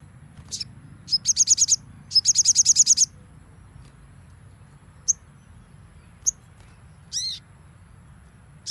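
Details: Crimson sunbird training song: short high chirps, then two rapid trills of about eight sharp notes each, followed by scattered isolated high chirps and a brief downward buzzy note, with steady low rumble underneath.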